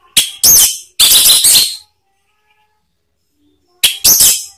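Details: Male orange-headed thrush (anis merah) singing a provoking song: loud bursts of rich, rapid warbled notes in short phrases, with long silent pauses between phrases.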